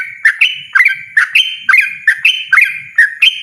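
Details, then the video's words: Yellow-vented bulbul (trucukan) singing loudly and persistently in the rapid ropel style: bright, bubbly two-part notes, each sliding up then levelling, repeated in a brisk stream of about eight phrases within three seconds. "burung trucukan ropel ngotot suara lantang"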